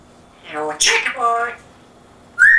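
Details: Pet African grey parrot with an English accent. It utters a drawn-out speech-like phrase with a harsh breathy middle, then a brief pause, then a sharp rising whistle.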